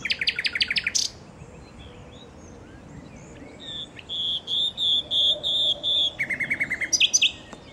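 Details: Common nightingale singing in Westduinpark. The phrase opens with a dry rapid rattle, then eight pure whistled notes repeated evenly, then a fast lower churring series that ends in sharp chips.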